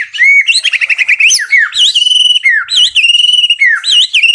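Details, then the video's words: White-rumped shama in full song, loud and varied: clear rising and falling whistles, a rapid chattering trill early on, then looping whistled phrases with rich overtones. "MURAI BATU PALING GACOR"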